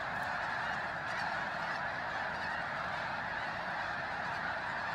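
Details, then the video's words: Thousands of snow geese fly in before dawn at Bosque del Apache, San Antonio, New Mexico, on a freezing morning, joining a resting flock. A dense, unbroken roar of overlapping honking calls fills the whole recording, phone-recorded. "Snow Geese Surprise Pre-dawn Fly in!"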